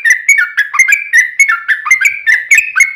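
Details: Yellow-vented bulbul singing vigorously in a long rapid chatter, played to make other bulbuls answer: clipped, bubbly two-part notes repeated about four times a second, each dipping and rising slightly in pitch.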